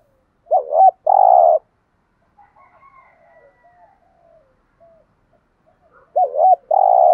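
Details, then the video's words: Spotted dove cooing, male and female voices used to rouse trained birds; two loud phrases about five seconds apart, each a wavering note then a long rough coo, with faint soft cooing between them. "tiếng chim cu gáy kích bổi mới rất hiệu quả"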